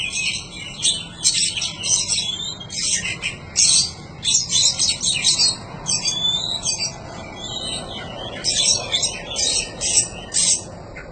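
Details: Oriental magpie-robin song recorded as training material for cage birds, a steady series of short, scratchy, chattering high phrases repeated roughly twice a second, with low background hum.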